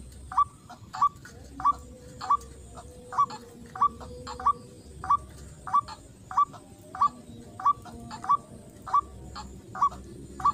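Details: Repeated calls of a white-breasted waterhen at a rice paddy during luring: clipped, hooked notes given at a very even pace, roughly one every 0.6 seconds, about sixteen in a row, with faint hum behind.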